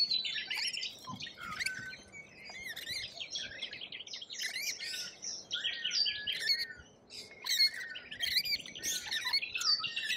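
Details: Lorikeets in Australia chatter nonstop with shrill, twisting squeals and rasping screeches, loud and overlapping throughout like a small noisy flock.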